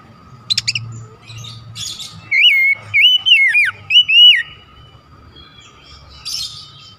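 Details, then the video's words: Oriental magpie-robin song used as a lure to provoke other magpie-robins: a run of loud, clear whistled phrases sliding up and down, with brief higher chirps before and after and a steady low hum behind. "PANCINGAN KACER 100% JITU BIKIN RMOSI KACER LAIN"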